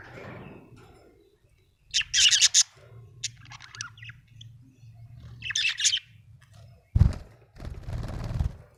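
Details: Happy budgerigar chirping in short bursts of bright, scratchy chatter, two louder clusters separated by quieter twittering, with low thumping noises near the end.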